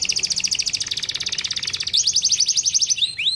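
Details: Canary song meant to spur lazy canaries into singing: a rapid, buzzy high trill lasting about two seconds, then a brighter rolled trill ending in sweeping whistled notes.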